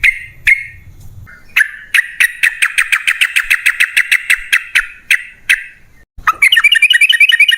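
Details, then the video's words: Long rapid yellow-vented bulbul chatter, the extended 'ropel' style, meant to provoke caged birds: dense repeated notes about two and a half per second that fade, then a sudden busy burst. "Pancingan Trucukan PALING AMPUH! Burung Langsung Ngalas & Nyaut Gacor"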